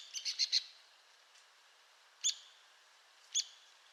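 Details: Arizona woodpecker: a rapid burst of four sharp, high notes, followed by two loud single piercing notes about a second apart.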